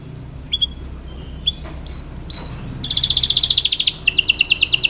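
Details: Canary training song opens with a few scattered thin whistled notes over background hiss, then bursts into loud, fast, high trills repeated in quick succession.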